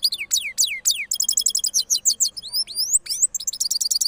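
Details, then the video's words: Rolling song of a cross goldfinch in Parachinar after moulting: downward-sweeping whistled notes at the start, then fast high twittering and rising slurs, repeated about three times a second. "Cross Gold Finch Part 3 After Moulting Rolling Songs"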